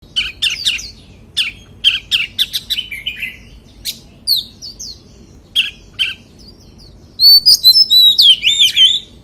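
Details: White-rumped shama song in a wild-voice singing style, with a run of sharp chirps and short whistled notes followed by a loud, rich warbling phrase of looping, rising and falling whistles near the end.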